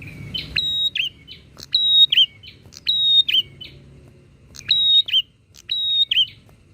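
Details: Rapid exchange of bar-winged prinia song, used to excite other prinias: about six phrases close together, each a click, a sustained piercing whistle and a quick trilled drop, with quieter notes answering among them over a low background rumble.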